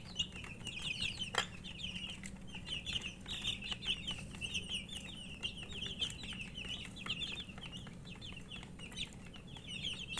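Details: Several poultry chicks calling from thirst for drinking water, steady overlapping high-pitched cheeps over a constant low hum, with a few clicks.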